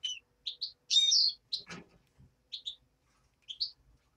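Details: Nestling of the European greenfinch: paired high chirps and one long loud buzzy note, with a brief scraping rustle just after and a few more paired chirps.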